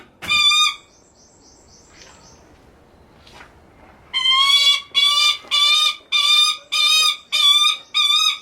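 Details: A captive Lanner falcon at a bird park in Kakegawa, Japan, calling affectionately to its favourite keeper, gives a shorter opening note and a thin whistle, then about seven harsh, ringing, strongly harmonic calls in quick succession.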